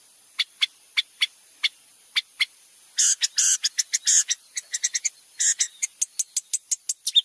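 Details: Long-tailed shrike singing actively, a tutor for training white-rumped shamas: sharp ticking clicks that build into harsh, scratchy chattering bursts, then rapid ticks repeated several times a second.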